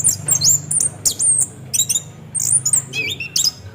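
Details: Rolling ngeroll song of an orange-headed thrush, meant to coax birds into singing: very high thin whistles, quick hooked slurs and clusters of sharp notes spaced by short gaps, over a soft low hum.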